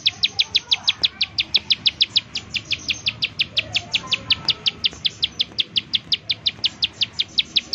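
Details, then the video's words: Bar-winged prinia giving its rapid 'nembak' call, used as a lure to make other prinias sing: sharp, high, clicking notes repeated steadily, about four to five per second, throughout, over faint low background noise. "ciblek sawah, nembak nembak untuk pancingan ciblek sawah agar bunyi"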